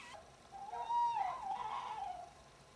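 A tawny owl gives one long, hollow hoot that swells, wavers and slides slightly downward for under two seconds against a quiet background.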